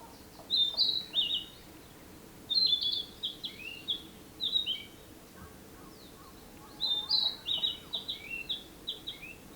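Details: Narcissus flycatcher singing, recorded in 2017: clear whistled phrases of several bright notes, repeated in bursts roughly every two to three seconds, with softer distant bird notes between phrases.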